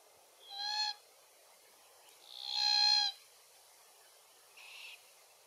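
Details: Glossy Black-Cockatoos feeding on Allocasuarina verticillata seeds, Capertee Valley. Two loud, rasping, harmonic wails about two seconds apart, the second longer, followed by a fainter, shorter call.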